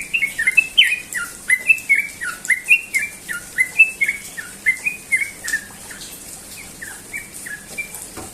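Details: Rapid ropel morning song of a sooty-headed bulbul: loud, clear whistled notes, each with a quick downward slur, repeated about once a second and close together, fading in volume over the last few seconds.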